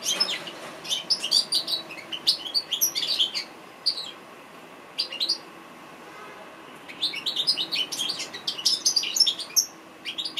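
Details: African goldfinch pouring out bursts of fast, high, tinkling twitters and chirps, a pause of a couple of seconds, then another lively twittering run.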